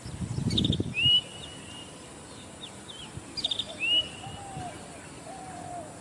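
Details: Zitting cisticola heard rather than seen outdoors: short high ticking notes, each followed by a thin arched whistle, given twice about three seconds apart. Softer lower whistles follow, over a low rumble of background noise.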